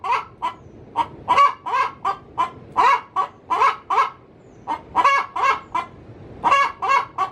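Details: Hen cackling inside its coop ahead of laying an egg, giving rapid, harsh, nasal clucks in irregular clusters, roughly forty per minute, with brief gaps between runs.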